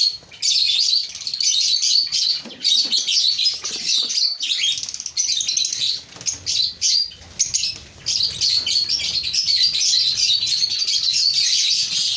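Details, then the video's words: Steady high-pitched chattering from an African lovebird breeding colony, many birds giving squeaky, twittering chirps almost without pause for twelve seconds, with a few brief dips in loudness. "Lovebird Singing & Chirping Sounds"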